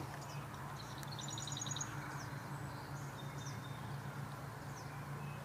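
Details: A marsh wren on a 7/10/2021 birding tour, with purple martins calling nearby, gives a brief, fast, dry rattle of high buzzy notes. A steady low engine drone and a few faint thin calls from other birds sound behind.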